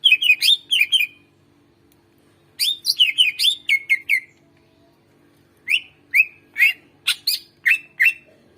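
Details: Song of a greater green leafbird in full voice, meant to coax quiet birds into singing: rapid bright whistles and down-slurred chirps come in three quick bursts, with pauses between them.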